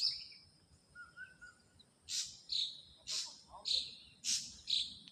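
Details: Wild ashy drongo giving a series of loud, sharp high chirps roughly every half second, mixed with a lower whistled slur and faint distant calls.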